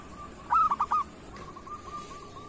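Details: Local zebra dove in kerot style, a master recording for caged doves: one short rolling coo of four rapid notes, followed by a faint steady tone.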